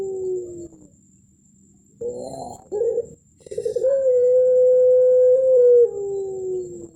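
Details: Contest-winning puter (Barbary dove) cooing in the 'melung' style with a thick ending: low gliding coo notes, short broken bursts, then a long steady tone held about two seconds before sliding down, over a faint constant high whine.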